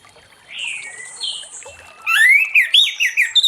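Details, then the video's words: Late-afternoon ngeplong song of an orange-headed thrush, meant to prompt other thrushes to sing: soft drawn whistles at first, then a loud rapid run of warbled, slurred rising and falling notes. "Anis Merah Ngeplong Sore Hari💥Pancing Anis Merah lain Cepat Bunyi"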